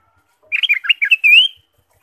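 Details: Ruby-throated bulbul singing actively, a lure recording to stimulate caged birds: one quick phrase of choppy bubbling notes ending in a longer rising clear whistle, in silence.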